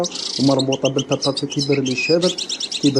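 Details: European goldfinch of the authentic Algerian qadousi style, opening with a short buzzy note, then rapid clipped twitters and trills, overlaid by a man's steady Arabic speech.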